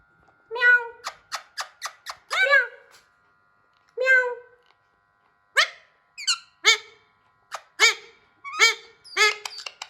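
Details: A hand-tame Alexandrine parakeet trying to talk mimics speech in short, harsh, nasal syllables, repeating "meow" and "me to me", bursting in uneven clusters with brief pauses in a quiet room.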